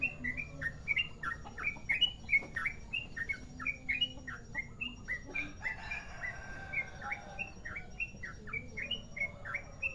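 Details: Sooty-headed bulbul, Merapi variety, in long rolling lure song: fast, continuous stream of short whistled and slurred notes, over three per second, running unbroken through ten seconds with light background noise.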